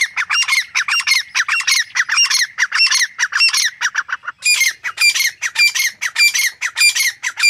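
Grey francolin giving loud, harsh, ringing notes in quick repeated bursts, about two per second, in two rising series with a brief pause between.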